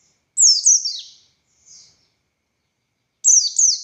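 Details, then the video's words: Buxtoni Oriental white-eye singing in the 'gacor' style: two short bursts of high, sharply falling whistled notes separated by a long pause, with a faint soft note between them. "Burung Pleci Buxtoni Gacor Konslet Full Tembakan Ngalas Ngotot Fighter"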